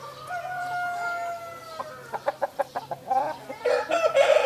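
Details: Sussex and Brahma roosters confronting each other with a white Brahma nearby: a long, steady crow opens, followed by a quick series of short clucks, then a loud, hoarse second crow at the end.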